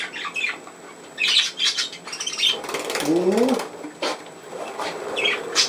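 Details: Pet budgerigar at indoor play on 27 August 2024 gives scattered scratchy squawks and chirps, with a person speaking German briefly in the middle.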